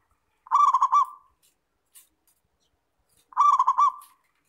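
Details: Local Zebra dove (perkutut), a frequently singing kept bird, recorded cleanly as a training song: two rapid, rolling cooed phrases of pulsed notes with a drawn-out end, separated by about two and a half seconds of near silence.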